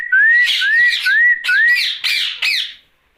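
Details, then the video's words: Rose-ringed parakeet talking at night, giving four repeated upward-gliding whistles over raspy chatter, then a few harsh squawking syllables before falling silent. "Night Talking parrot Mitthu Ringneck"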